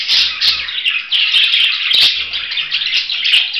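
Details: Budgerigar delivering loud, squeaky chirps and scratchy warbling without pause, punctuated by a couple of sharp clicks and faint low thumps.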